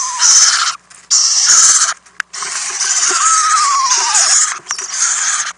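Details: Owl chicks in a nest house at night while adults bring treats, April 2018: nearly continuous loud, harsh hissing with short gaps, and a long drawn-out squeal that slowly falls in pitch midway through.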